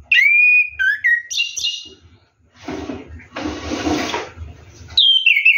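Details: Orange-headed thrush bathing at night gives ngeroll whistles, a long sliding note and short slurred phrases, interrupted by a stretch of splashing water before one more descending whistle.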